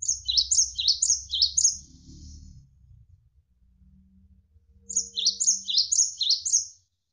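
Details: Gelatik wingko, or cinereous tit, song used to tutor competition and pet birds, with flowing water in the background: a burst of repeated high two-note phrases, a low rumbling pause, then another burst of about five phrases.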